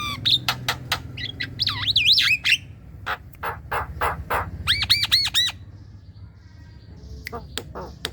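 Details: Javan myna lure song for young birds: wavering whistles, harsh clipped squawks and a quick string of arched chirps, then quieter notes over a low hum.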